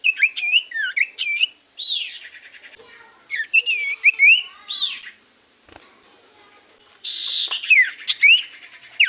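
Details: Common iora singing actively, played as a lure for other birds; quick twisting whistles at the start, buzzy slurred phrases in the middle, and a loud rasping whistled flourish near the end.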